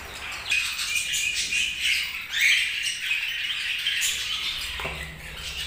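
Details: Several budgerigars chirping together in a steady, dense chatter of scratchy, high warbles and squeaks, with a brighter burst around the middle and a faint low hum underneath.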